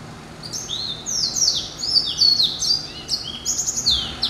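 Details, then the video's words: Hybrid of yellow-eyed canary and timbrado, hatched November 2012, singing a dense flow of high descending slurs, buzzy rolls and quick trills. "Hybrid Finch ...Yelloweye & Timbrado"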